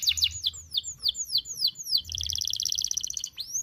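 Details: High canary song from a tutor recording for young birds: a series of quick falling whistled notes about every quarter second, then a fast bubbling trill and a final rising slur.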